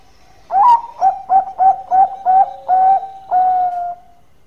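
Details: Zebra dove, a local bird in active full song, used for luring birds: eight soft, mellow cooing notes, a quick stuttering run of short coos ending in two longer drawn-out ones, clear against a quiet background.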